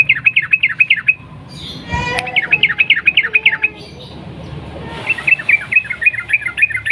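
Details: Sooty-headed bulbul in fluent "ropel panjang" singing, with three rapid runs of clipped, bouncing chirps repeated several times a second. A sharp click comes between the first and second runs, and a faint hiss runs underneath.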